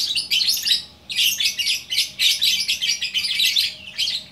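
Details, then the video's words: West Sumatran lovebird from Bukittinggi in full 'gacor' song: nearly continuous high, rasping twitters in quick pulsing phrases after a short opening burst. "Burung Lovebird Gacor Orkestra"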